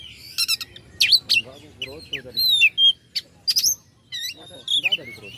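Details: Oriental magpie-robin singing to stir up rival birds: dense, energetic high whistles, sliding notes, short trills and scratchy buzzes delivered in quick bursts, low background hum.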